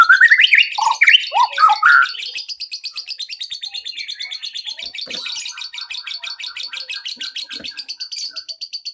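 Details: Used as a lure to start other birds singing, a white-rumped shama gives loud looping, varied whistles for about two seconds, followed by a long, even rapid chatter of high ticking notes.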